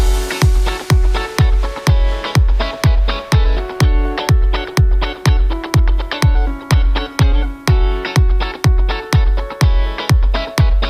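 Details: Steady electronic dance music with a thumping four-on-the-floor kick drum at about 125 beats per minute; no animal sounds are heard.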